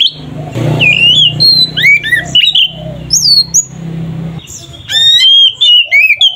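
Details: Kacer (oriental magpie-robin) in ngeplong fighting song to provoke others: fast varied whistles, squeaky rising sweeps and chattering notes in two bursts, with a low humming background between them.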